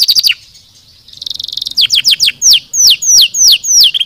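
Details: Canary song played to encourage lazy birds to sing. A few quick notes lead to a soft, buzzy rolling trill, then a series of spaced, clear whistles that each drop sharply in pitch.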